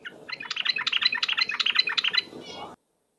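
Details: Rapid 'ropel' lure chatter of a yellow-vented bulbul: a quick string of bright, bubbly notes repeated roughly every tenth of a second, rising out of a low background murmur.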